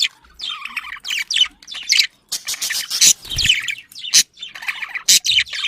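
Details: Budgerigar mating chatter used to encourage breeding in pet birds, busy chirping with squeaky whistles, harsh rasps and sharp clicks in quick bursts separated by short gaps.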